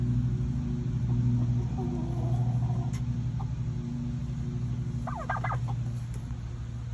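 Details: In fall, a turkey due for processing the next day lets out a quick, rattling burst of gobbling notes near the end, over a steady low engine-like rumble.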